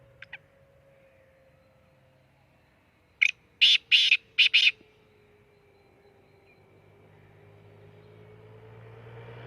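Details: Black francolin gives one rasping, rhythmic phrase of about five scratchy notes in the middle of an otherwise quiet stretch, with a faint low drone throughout.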